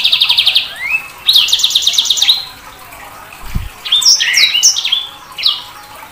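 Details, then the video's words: Sanger bird song opening with a rapid buzzy trill and a rising slur, then a rattling trill, a brief dull thump, and a burst of sharp, leaping high whistled notes. "Suara Burung SANGER"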